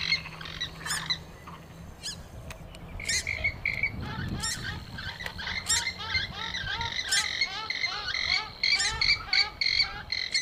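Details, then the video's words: Purple swamphen lure call used for hunting: loud, nasal, squawking calls in quick bursts, with harsh upswept notes repeated about twice a second over a low hum. "SUARA PIKAT BURUNG MANDAR BIRU"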